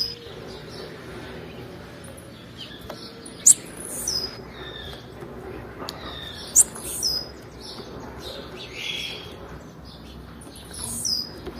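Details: Female blue-black grassquit call, used to stir up males: brief, very high, piercing chirps recurring roughly every three seconds, each followed by a faint lower twitter, against soft background noise.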